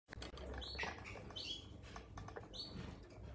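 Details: A captive blue-capped cordon-bleu, feeding on calcium- and vitamin-enriched wingless fruit flies, gives three thin, high, slightly downslurred notes about a second apart, over a low hum and soft tapping.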